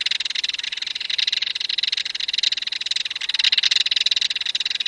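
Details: A Belted Kingfisher in Wisconsin gives a loud, dry, harsh rattle, a fast, unbroken string of clicking notes that runs for about five seconds without a pause.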